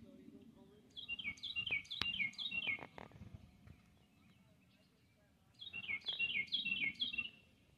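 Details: An oriole sings two bursts of quick, slurred whistles that drop in pitch, over a low hum; a bumblebee is also mentioned as present.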